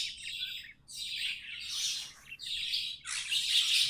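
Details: Captive budgies singing: four long blocks of harsh, buzzy chatter rising and falling, each lasting about a second with brief gaps, over a steady low hum.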